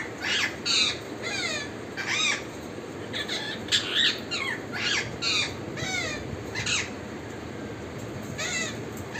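A parrot gives harsh, rising and falling squawks and chirps in quick, uneven bursts.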